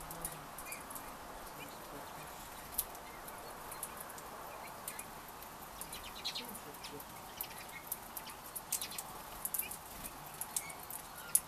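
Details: Redpolls that arrived in winter give short, sharp, high call notes scattered through the clip, coming faster and denser toward the end, over a steady background hiss.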